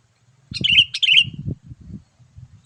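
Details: Sooty-headed bulbul call used for luring wild bulbuls: a single quick pair of bright, bubbling whistled phrases, with low thudding handling noises underneath.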